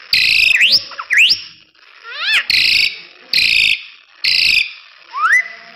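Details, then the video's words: Tutor recording of an actively singing crested myna: steep rising whistled notes and a quick stack of arching chirps, interleaved with three loud rasping blocks of noise at regular spacing. "Jalak Hongkong Super Gacor Untuk Masteran"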